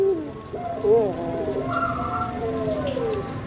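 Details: Kept puter pelung Barbary dove from Indonesia, heard at a distance: a brief low coo, a wavering note, then a long, gently falling drawn-out coo. Other birds chirp faintly in the background.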